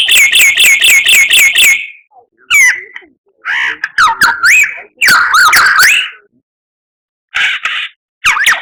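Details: Murai batu song: a quick series of seven bright, repeated, downslurred whistles, then harsh squawking notes, warbled slides and short scratchy bursts separated by pauses.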